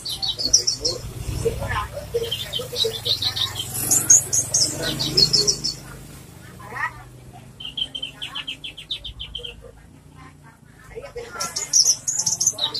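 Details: Horsfield's bush lark, known locally as branjangan, kept as a loud, lively songbird. Varied song of high chirps, buzzy trills and rapid notes in bursts, with a quieter stretch midway and a low background hum.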